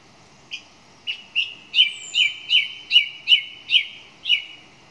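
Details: Song thrush delivering a repeated phrase: a looping whistled note sounded about eight times at a steady pace, each slightly rising and ending in a short flourish.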